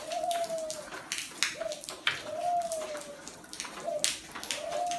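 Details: Spotted dove on a rainy, windy day. Soft, low cooing notes, some drawn out and gently falling, others short, repeat through the clip against constant hissing rain and sharp wind gusts.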